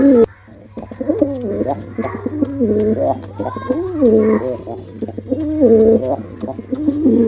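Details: Male pigeon in full performance, giving loud back-to-back coos, each a deep rolling phrase that swells and drops, with a low steady hum underneath.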